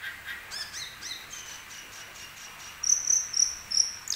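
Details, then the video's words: Asian glossy starling, a species noted for imitating nearby sounds, sings a series of short whistled notes that rise into several loud, piercing high whistles repeated about every half second. "CUCAK KELING ISIAN MEWAH GACOR BOCOR"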